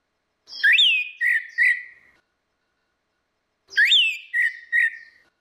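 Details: Lure song of orange-headed thrush, female versus male: two matching whistled phrases, each a sharp upward sweep followed by a held note and two short dips, separated by a pause of about three seconds.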